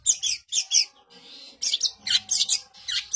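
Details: Long-tailed shrike singing densely: quick clusters of harsh high chirps, a brief softer hiss, then more rapid scratchy bursts.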